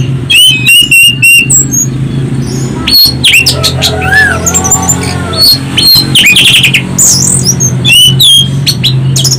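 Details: Loud, piercing orange-headed thrush song used as a lure recording: repeated clear whistled notes, then a varied medley of fast chirps, slurred squeaks and trills, with a constant low hum beneath.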